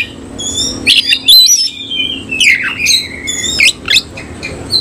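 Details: Oriental magpie-robin of the Cililin type, kept caged and singing with spread tail; clear whistled notes, a long descending slur and quick steep sweeps, with a faint steady hum behind.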